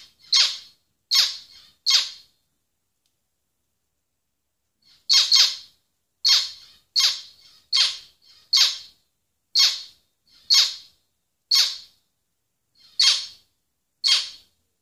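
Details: Zebra finch giving short, loud, nasal, buzzy calls: three in quick succession, a pause of about three seconds, then about ten more spaced roughly a second apart, with silence between them.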